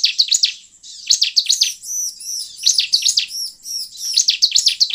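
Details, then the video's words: Bar-winged prinia singing, played to attract wild birds: a rapid series of sharp, downslurred chirps alternating with high, arched ringing notes in an energetic, uneven rhythm. "Pancingan ciblek ini sangat efektif untuk memancing ciblek gacor"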